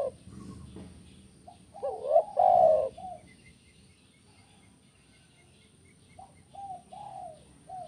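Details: Spotted dove 'kuk 1' cooing, used to get doves calling actively: one strong rolling coo phrase near the middle, surrounded by softer scattered coos, with faint ticking and light background noise.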